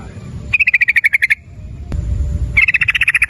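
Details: ['Sooty-headed bulbul lure song of the rapid ropel style, played to prompt other bulbuls to sing: two bursts of about nine quick, evenly repeated bright chattering notes, separated by a pause, over a low background hum.']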